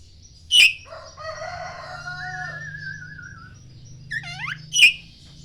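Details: Morning song of a poci Oriental magpie-robin used to provoke other magpie-robins: loud sharp chips bracket a run of falling sweeps, with a long, drawn-out, layered wavering call and a low hum in the background.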